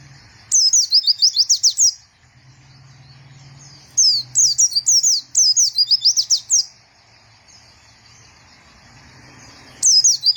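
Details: White-eye song in short bursts of fast, high, zigzagging notes, each burst lasting about a second or two, with pauses between them.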